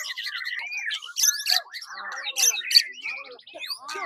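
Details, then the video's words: White-rumped shama delivering 'tembakan' song: a jumble of rising and falling whistles, sharp high chips and short rattling bursts in quick, irregular succession. "Tembakan murai batu"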